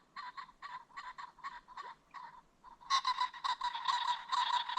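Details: Ring-necked pheasant along a creek bottom as the sun sets, giving a steady run of short clucks that build into a louder, rapid, raspy cackle.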